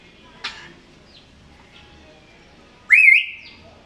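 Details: African grey parrot, a talking and dancing bird asking for food: a short sharp click, a quiet pause, then one loud warbling whistle that sweeps upward, wavers and trails off, in a quiet room.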